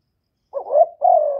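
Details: A single spotted dove phrase meant to provoke rival birds, with no background noise: a wavering, stuttered low coo rising slightly, then a sustained coo that slowly falls away.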